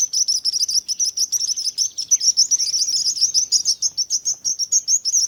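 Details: Relaxing bird chirping: a steady stream of sharp, high-pitched chirps, many birds together in a lively, unbroken chorus with quick, slightly uneven rhythm.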